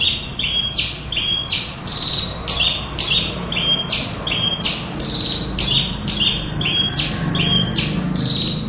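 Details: Lively full-repertoire song of a local Javan bush lark: regular alternating high and slightly lower chirping notes, each short and buzzy, repeated in a steady bouncing rhythm throughout.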